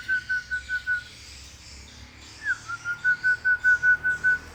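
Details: Hill myna known for copying human sounds gives pure whistled notes: five evenly spaced tones, a gap, then a short upward slur followed by a longer string of steady repeated whistles on the same pitch.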